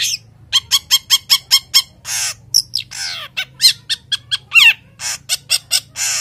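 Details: Male long-tailed shrike in breeding condition giving a 'toet' call: harsh, squawky, broadband notes repeated about three times a second, with a few longer rasping bursts between them.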